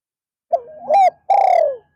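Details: Spotted dove used as a decoy for luring wild doves, calling in the afternoon. A soft wavering opening coo rises into a swelling note, followed by a long, slowly falling coo.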